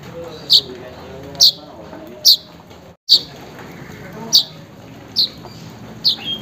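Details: Weaver call aimed at a rival or mate, for luring a non-singing bird: seven crisp, high-pitched chips at roughly regular spacing, with one brief gap of silence.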